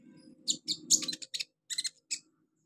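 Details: Olive-backed sunbird song meant for training young birds: quick high chirps and buzzy notes in short clusters over a faint low hum.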